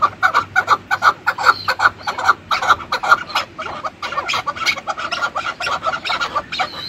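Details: Chukar partridge with a hoarse, clucking series of repeated chuk notes. The notes are loud and evenly spaced at first, then softer and more crowded.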